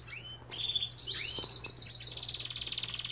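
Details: Belgian canary singing in a breeding aviary: a mix of short rising chirps and sliding whistled notes that runs into a fast, dense, buzzy trill for the last second. A steady low hum sits underneath.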